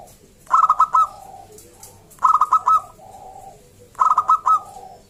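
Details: Loud wild local zebra dove song, used to draw other zebra doves into singing: three crisp phrases of quick staccato coos about every 1.7 seconds. Each phrase trails into a softer, lower hum, with faint cooing beneath.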